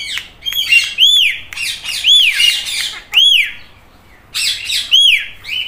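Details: Indian ringneck parrot, green, imitating a cat's meow in a run of arched, rising-then-falling whistled squawks, roughly one each second, with short gaps between bursts.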